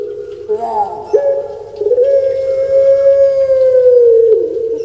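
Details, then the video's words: Captive puter pelung dove kept in Indonesia, a bird well known on Java, giving long drawn-out tonal coos, a short note then a sustained mellow tone held for about three seconds with a slight pitch break at the end. "Suara Merdu Menggema //Puter Pelung"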